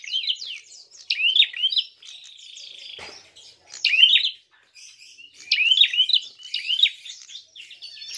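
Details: A prinia's fighting call meant to provoke other birds: bursts of sharp hooked chirps separated by pauses, a steady hissy tone between the first bursts, and a soft thump around the middle.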